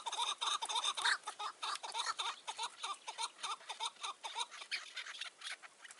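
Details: Chukar partridge under a tree on a mountain on a June 2018 evening, near a decoy trap. Loud, clipped chuck notes come in an even, rapid series with brief gaps between them.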